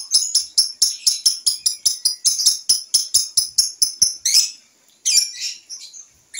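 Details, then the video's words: Young lovebird, still learning its sounds, tried out on a home porch: a quick series of sharp, high chirps, about four each second, breaking into a few rougher, louder squawks near the end. "TES DRIVE LOVEBIRD PAUD NGEKEK DI TERAS"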